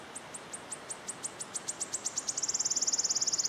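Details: A wood warbler in Yarner Wood, Devon, sings: high, thin ticking notes that speed up steadily, then run into a fast, shivering trill that drops slightly at the end, with only faint background hiss.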